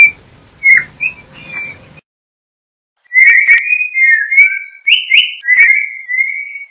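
Yellow-backed Oriole singing clear, slurred whistles, a few short notes, a brief pause, then a run of rich fluty phrases stepping up and down. Faint clicks in between.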